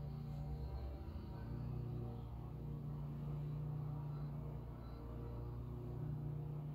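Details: Deep, droning engine-like hum that wavers slightly over a low rumble, with no clear animal voice.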